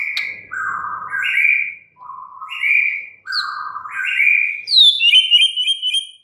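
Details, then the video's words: Caged white-rumped shama delivering alternating low and higher whistled notes in an unhurried sequence, ending with a quick high twittering series. "murai batu BISU, STRES, MACET TOTAL bakalan NYAUT GACOR dan Kembali FIGHTER"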